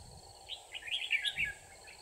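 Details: Red-whiskered bulbul trapping on 24 December 2018: a single rapid, bubbling run of bright chirped notes lasting about a second over constant background hiss.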